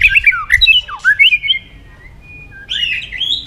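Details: White-rumped shama in a competitive song bout: scratchy squawked phrases with swooping whistles, a pause holding one thin steady tone, then renewed buzzy high chatter.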